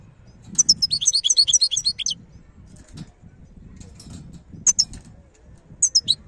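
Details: Wild European goldfinch in Algeria pouring out a fast, liquid twittering phrase for over a second, followed by short scattered high chirps over a low background rumble.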